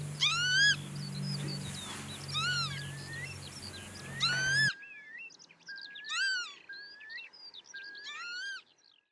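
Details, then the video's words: Northern lapwings recorded in the wild: repeated nasal, arched 'pee-wit' calls from several birds, some overlapping, first over a low hum, then after an abrupt change in a quieter setting with more distant calling. "Northern Lapwing Sound – Song & Bird Calls"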